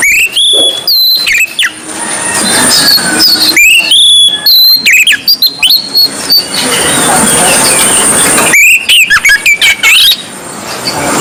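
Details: Oriental magpie-robin, white-breasted Kacer Poci form, in a gacor ngobra song: loud, clear whistled phrases with rising and falling slurs, given in bursts around one second and again near four and nine seconds, with steady hiss between phrases.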